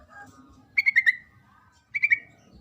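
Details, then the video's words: Two short chattering bursts from a female Sooty-headed bulbul calling the male. The first has four bright notes and the second three, about a second apart, over a low background hum. "suara panggilan trucuk betina memanggil jantan"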